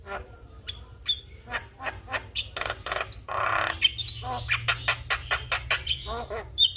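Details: Javan myna in energetic song, nodding as it sings, used as master song for young mynas: harsh broadband squawks and clicks with a few short whistles, repeated in quick succession.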